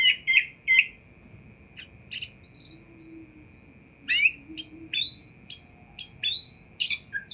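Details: Oriental magpie-robin song played to get other magpie-robins to respond, with short repeated chirps, then sparse high whistles and sharp clicking notes in quick bursts, low background murmur and faint hum.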